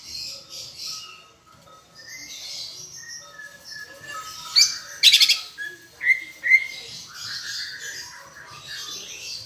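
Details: Greater green leafbird from Palembang, a tutor recording with a flavour of Asian brown flycatcher, giving scattered clear whistled notes and soft chatter, then a loud burst of sharp buzzy trills and rising whistles midway.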